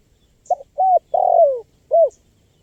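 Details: Spotted dove calling, for luring wild birds: a short clipped note, then a level coo, a long coo that sinks in pitch, and a clean final coo, with a couple of faint high squeaks in the background.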